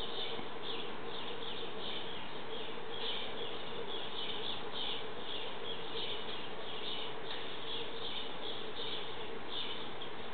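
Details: Fledgling bluebirds calling as parents feed them, giving a run of brief, hoarse, high-pitched notes in uneven quick succession, partly masked by steady low-frequency rumble.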